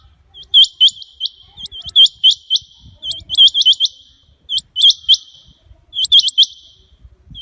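Rain quail giving sharp, metallic whistled notes in quick pairs and triplets, repeated in bursts.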